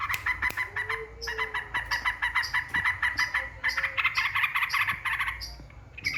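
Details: Yellow-vented bulbul song played as a lure to provoke rival birds: fast, bubbly chattering phrases pulsing several times a second, with sharp clicks and brief higher notes scattered through.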